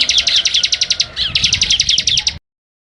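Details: Bar-winged prinia (ciblek) in full, vigorous song for a training recording: a long run of rapid, sharp, buzzy high notes, briefly broken by a lower slurred note, then ending abruptly in silence.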